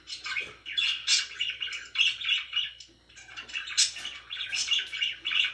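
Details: Pet budgies give a lively run of chirps: short, bright warbled notes repeated in quick rhythmic bursts, a brief quiet dip around the middle, soft hum in the background.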